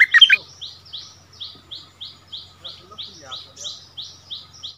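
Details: Decoy bulbul on its former territory, dueling with a newly settled resident bird: one short loud chattering phrase at the start, then a steady series of soft, downslurred whistled notes repeated about three times per second.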